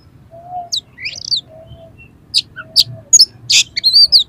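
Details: Highly aroused fighting oriental magpie-robin singing to provoke other birds: sharp upslurred whistles, clicks and bright chips spaced irregularly, with a soft low hum running underneath.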